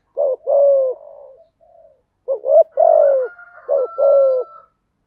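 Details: Spotted dove song meant to stimulate newly caught doves to sing: three paired low coos, short note then longer falling coo, with a faint steady tone behind.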